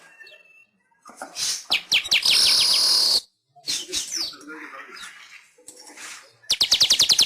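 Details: Weaver master song for training caged pet birds: a loud, sustained buzzy wheeze broken by sharp ticking notes, then a rapid train of clicking chirps at the end.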